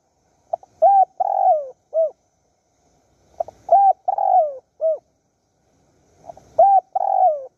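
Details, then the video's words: Spotted dove's mate call, recorded while luring wild doves at Bang Bai Mai, Surat Thani, Thailand: three clean, repeated phrases, each a short lead note, a drawn-out falling croo and a final short coo, roughly every three seconds. "ต่อนกเขาใหญ่สุราษฎร์ธานี หมายในบางใบไม้ นกป่าเรียกคู"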